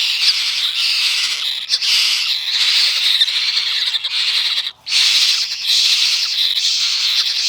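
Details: Baby parrot chick begging at its morning feeding, excited and hungry as it waits for milk: a continuous harsh, raspy squawking in rapid, nearly unbroken bursts, with one brief pause midway.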